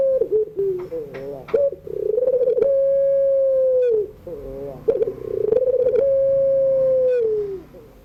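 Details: Ringneck dove's afternoon 'pelung' crying song, played to teach young birds to sing: two phrases, each with a rolled bubbling opening and a long steady coo that sags downward at its end, repeated about every four seconds.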